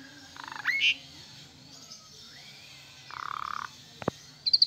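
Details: Asian pied starling song intended to coax sick or stressed birds into singing: quieter rasping bursts, an upslurred squeak, a soft rising whistle and short clicks.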